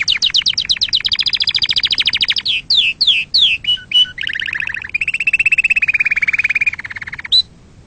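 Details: Singing canary, meant to excite other birds and teach fledglings: fast repeated trilled notes, a run of separate swooping whistles, then a lower buzzy rolling trill ending in a short high note.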